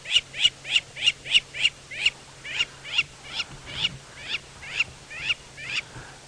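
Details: At sunrise around 6:30 AM on 20 July 2017 in Djuma, Sabi Sand, South Africa, a lapwing gives loud, shrill, piercing calls, about three a second and then slowing, over a faint vehicle hum. It is probably calling because its nest and eggs are nearby, and it seems to be trying to lure intruders away.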